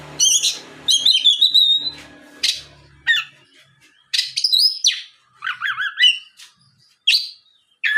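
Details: Oriental magpie-robin song played as a lure to make other magpie-robins answer and sing: varied whistled phrases, slurred rising and falling notes, and harsh buzzy bursts in quick sequence, with short pauses between phrases.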